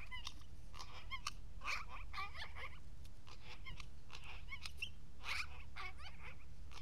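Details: Talkative magpie at an Aspen day center keeps up a busy stream of mixed chatter: bursts of raspy notes, short up-and-down squeaks and clicks, nearly continuous against a low indoor hum.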